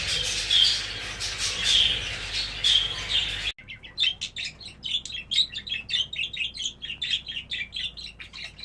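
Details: English show budgerigars, exhibition and hogoromo types: first a dense group chatter with whistled notes, then after a sudden cut a quicker series of separate sharp chirps repeated in rapid rhythm.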